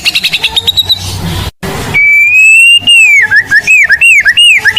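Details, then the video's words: Mottled blorok white-rumped shama singing loudly as a lure for training birds: after a noisy start, one long rising whistle, then a rapid series of repeated downward-slurred whistled notes. "Murai Blorok Gacor Bongkar isian Pancingan Burung Murai Batu Bahan"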